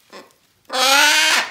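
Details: Pet female blue-and-gold macaw playing with her bell indoors gives one loud, harsh squawk of about seven tenths of a second, preceded by a brief faint sound.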